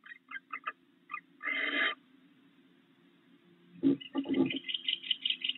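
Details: Barn owl at a nest box where the female sits on eggs while the male flies in with a rat, chased by an intruder owl; scattered short clicks, one harsh hissing screech, then a busy burst of rasping calls.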